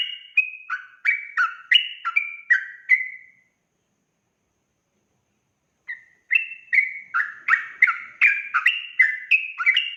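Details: Sooty-headed bulbul lure song in the lively 'gacor' style: a fast burst of bubbly whistled notes, then about two and a half seconds of silence, then the chattering phrase resumes even more densely.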